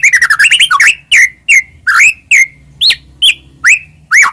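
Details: Murai batu, the white-rumped shama, in full varied song meant to stimulate other shamas: a fast stuttering run of notes, then loud separate whistled slurs and upswept chirps spaced roughly every half second.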